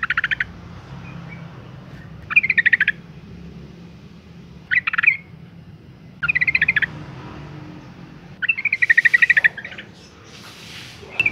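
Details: Yellow-vented Bulbul, a female in breeding condition calling males, giving six short chattering bursts spaced about two seconds apart, each a quick harsh rattle; light hiss and low hum in the background.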